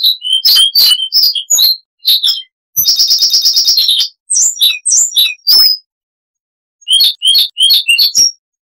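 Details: Siberian rubythroat in a varied chattering song. High chirps and slurred whistles surround a fast, buzzy trill of closely repeated notes midway, followed by a pause and more chirping.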